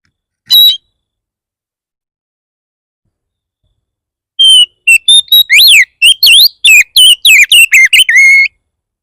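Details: Oriental magpie-robin song used to draw responses from other magpie-robins: one short whistle, a pause of several seconds, then a fast burst of about fifteen loud, varied whistled notes and sweeps.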